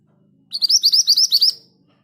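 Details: A scarlet minivet, said to sing readily even in a group cage, gives a quick rolling run of about eight sweet, high, slurred notes, evenly paced over one second; otherwise quiet.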